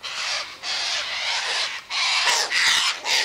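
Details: Flock of wild sulphur-crested cockatoos (Cacatua galerita) feeding on scattered sunflower seeds, wheat and birdseed near an eastern gate; loud, raspy, drawn-out screeches almost continuous, each about half a second long, overlapping callers.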